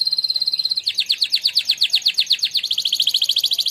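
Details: Singing-contest winner canary giving a training song: a steady high whistle, then a long run of quick repeated down-slurred notes rolling into a fast trill.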